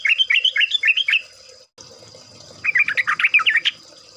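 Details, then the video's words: Yellow-vented bulbul (trucuk) lively song for luring: a quick run of looping, gurgling notes, a pause, then a second rapid jumble of rising and falling phrases over a faint constant high tone. "pancingan trucuk agar bunyi, trucukan ropel, trucukan gacor"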